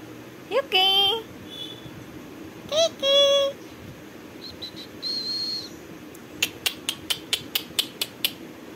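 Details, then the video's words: An Indian ringneck (rose-ringed parakeet) talking: two short harmonic, voice-like phrases, then a thin whistle and a run of about eight sharp clicking chirps. "Talking parrots videos | tamil talking parrots videos | Indian ringneck parrots"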